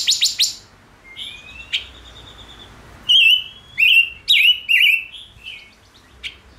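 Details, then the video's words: Male Gouldian finch, said to be stimulated into full song, gives a quick burst of high chips, a long thin whistle, then four loud, clear whistled notes that rise and fall, about one every half second, in a quiet setting. "Chim Ngũ Sắc Hót Hay"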